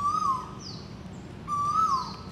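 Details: Asian koel in Malaysia, heard there all the time; a viewer calls it the male's territorial "ko-el" call (locally Burung Tuwu, often heard in the morning). Two clear, whistled, slightly rising notes about 1.5 seconds apart over a soft low hum.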